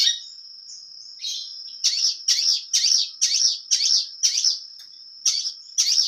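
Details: Long-tailed shrike in clear, full-repertoire song: after a thin sustained high tone, loud bursts of harsh, high chattering notes roughly twice a second, with a short pause before the final phrases.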